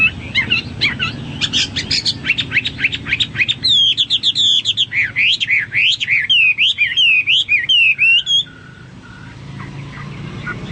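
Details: Hwamei singing vigorously: quick bursts of sharp chirping notes, then loud, rich whistled phrases that sweep up and down in looping, varied figures, ending abruptly and leaving a quiet, faintly humming room.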